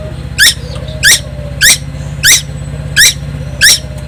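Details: A juvenile tuwu from Timor, singing tirelessly. It utters six rough, descending, buzzy notes, each about 0.6 seconds after the last, while a low steady hum runs underneath.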